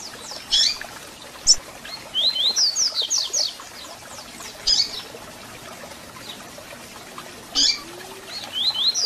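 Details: Double-collared seedeater song with calls, intended to stir and warm up a captive bird: isolated sharp chirps alternate with quick twittering phrases of sliding whistles, repeated several times, over a steady faint hiss.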